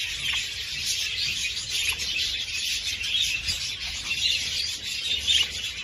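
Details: Budgerigar chatter meant to stimulate mating: unbroken, busy high-pitched warbling with scattered short chirps about once a second and a steady background murmur.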